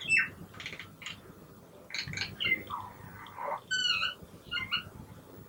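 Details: Common myna on a balcony in Gurgaon, India, in the morning, singing a varied run of squeaky, whistled and harsh creaking notes, some sliding up or down, in bursts over about five seconds.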